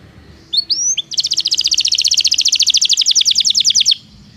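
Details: Belgian canary song, used to teach non-singing canaries: a few short upslurred whistles, then a steady rapid trill of bright repeated notes lasting about three seconds before stopping abruptly.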